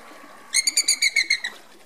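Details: Andean flamingo during group marching display; a single run of eight quick, evenly spaced nasal honking notes, about eight per second, then quiet.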